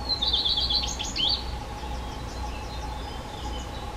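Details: Black redstart, a species now living mainly in human settlements, gives a brief rapid trilled phrase of high notes lasting over a second, followed by fainter scattered notes over a steady low hum and background noise.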